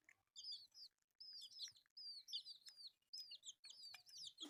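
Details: Baby chicks pecking at rice call in loud, high, down-slurred peeps, several at once, in bursts separated by short gaps.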